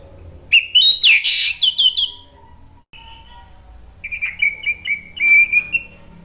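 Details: Spontaneous reply song of a male orange-headed thrush, meant as lure and therapy for birds that stall: a dense, tumbling phrase of bright whistles, a pause, then a steadier warbled series of short repeated notes.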